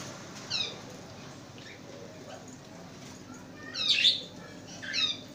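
Lovebirds give a handful of shrill, squeaky chirps spaced a second or more apart, the loudest a harsh burst near the end, over a quiet hiss.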